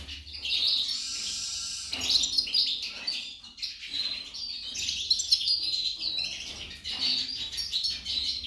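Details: Female goldfinch singing a fast, continuous twittering warble of high, tinkling notes with short breaks near two and four seconds, and a faint low hum underneath.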